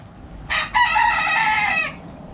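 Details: Rooster crowing in a backyard coop where chickens are eating: a loud, rich, harmonic crow with a short opening note, then one long sustained phrase that tapers off, over quiet background.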